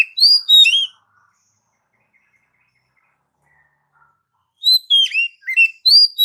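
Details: Oriental magpie-robin, a lure for training pet birds, sings two melodious bursts of rich, slurred whistles split by a long quiet pause, each burst rapid with notes rising and falling.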